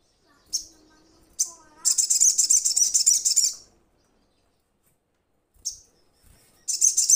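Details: A Crimson Sunbird calling to companions: short sharp high chips, then a sustained rapid sizzling trill of about a second and a half. After a quiet gap, more chips and another trill start.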